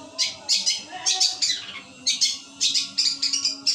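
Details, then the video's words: Long-tailed shrike giving its 'gereja petir' song material: harsh, high, squawking bursts in uneven pairs and triplets, repeated steadily with brief gaps, in a small quiet space. "pentet materi gereja petir"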